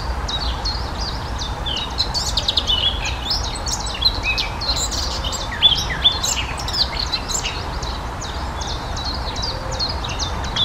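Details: Eurasian blackcap (Sylvia atricapilla) warbling in a lively chorus: rapid, high twittering phrases with quick rising and falling notes, a few louder accents midway, low background noise steady underneath.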